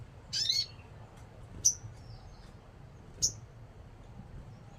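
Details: Crimson sunbird, known in Indonesian bird-keeping as sogon, gives one rasping buzzy note followed by two isolated thin, piercing high ticks spaced well apart, in an otherwise quiet setting.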